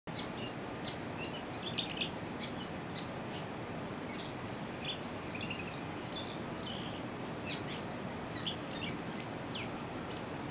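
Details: A Gray Catbird (Dumetella carolinensis) on the Clemson University campus, South Carolina, sings a rambling, unbroken jumble of short squeaky, chattering and whistled notes, each different from the last, over a steady background hiss.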